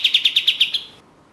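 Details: Katem, the orange-spotted bulbul, used as a lure for contest songbirds: a short burst of seven crisp, high, evenly spaced notes in under a second, then fading silence.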